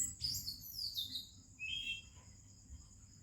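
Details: Indian Oriental magpie-robin in morning song, other birds present: a bright burst of sweeping whistled notes falling in pitch, then a short lower trilled phrase, with a steady high whine in the background.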